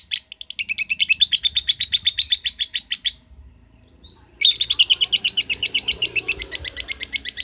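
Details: A ngetik lovebird delivers two bursts of ngekek, each a rapid rattling chatter about three seconds long, separated by a short pause with one thin whistle, and faint background rustling.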